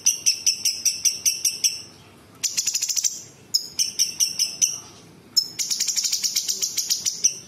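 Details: Cucak cungkok bulbul delivering dense imitation song, mimicking small birds, large birds and insects; runs of regular, sharp high chirps alternate with buzzy, rattling high trills, about two notes a second.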